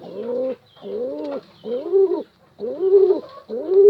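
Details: Pigeon calling to a female, giving a series of low, rounded coos, each about half a second long and arched in pitch, repeated with short gaps.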